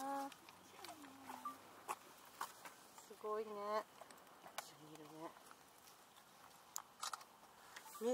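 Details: Three Common Ostrich chicks, recently hatched at Asahiyama Zoo, give short, wavering, trilled calls in two bursts of about half a second each, with people talking nearby.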